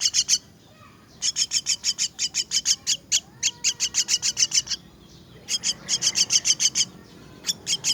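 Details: Myna chicks being fed, giving rapid bursts of harsh, high chirps repeated several times a second in runs of a few seconds, with short pauses between runs.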